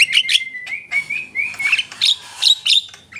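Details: Javan myna singing a smooth level whistle that steps slightly upward, broken by crackling clicks and short squeaky notes.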